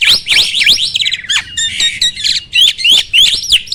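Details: Caged starling song played as a training recording to provoke other starlings into singing: a loud, varied jumble of rising and falling whistles, harsh squawks and rattling notes, delivered in rapid, uneven bursts.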